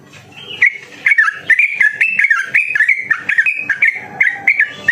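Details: Sooty-headed bulbul song, played to lure and stimulate other bulbuls into singing: a long, fast, continuous run of bubbling, warbled whistled phrases, with sharp clicks and some background noise.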